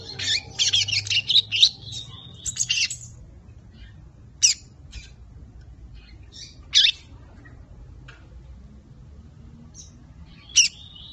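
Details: Lined seedeater, a brown five-month-old youngster learning the Tui Tui zel zel song, gives a brief jumbled burst of high twittering and buzzy notes, then falls mostly silent apart from three isolated sharp chips.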